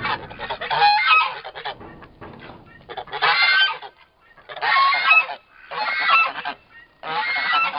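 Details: Two young turkey toms, about four months old, locked in a lengthy fight: loud coarse squawking bursts repeated roughly every one to one and a half seconds, with quiet gaps between.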